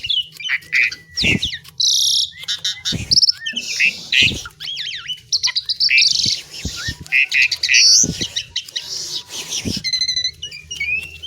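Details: Asian pied myna in a long, lively song: dense chattering, squeaky whistles, harsh rasping phrases and rising slurred notes strung together almost without pause, with occasional clicks.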